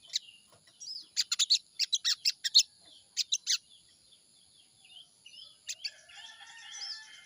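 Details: Crimson sunbird lure song for the morning, to make the bird start singing: a clustered series of piercing high chips in quick groups, followed by quieter thin whistled notes and soft background twittering.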